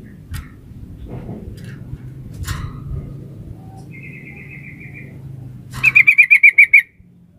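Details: Female sooty-headed bulbul calling to the male. Faint clicks and a soft distant trill come first, then a loud rapid run of about eight bright, harsh notes over a steady low hum.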